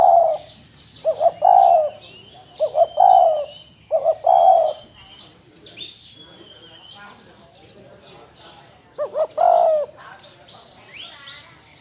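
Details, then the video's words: Spotted dove of the field type cooing in a rapid series of rounded, falling notes, a pause filled by high chirping and trilling from other birds, then a second burst of hurried coos. "Tiếng chim cu gáy thổ đồng gù"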